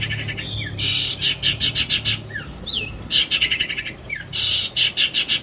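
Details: Trained long-tailed shrike, kept as a singing model for contests, in its full song packed with imitated phrases: quick chattering rattles, slurred whistled notes rising and falling, and buzzy rapid stutters in bursts.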